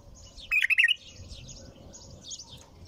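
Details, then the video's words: Bulbul singing without pause: one loud, rich warbled phrase of jumping notes, followed by faint high twittering from other birds. "تغريد بلبل طور بدون توقف"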